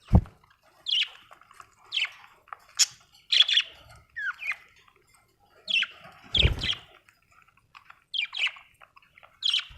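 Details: Budgerigar giving a steady series of short chirps and squeaky notes, some sliding upward, about one every second, with a few dull thumps and knocks in between.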